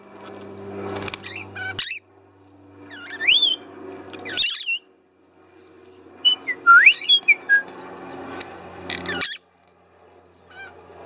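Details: Pet lorikeets with their owner: sliding, whistled and squeaky notes interleaved with short harsh squawks, over a steady low hum.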